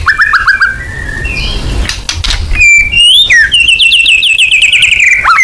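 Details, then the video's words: Murai batu, the white-rumped shama, in a 'full nembak' lure recording: slurred whistles open the phrase, then a fast run of sharply repeated notes streams for about two seconds, loud and clean against faint background hum. "Pancingan AMPUH BONGKAR MATERI MURAI BATU FULL NEMBAK"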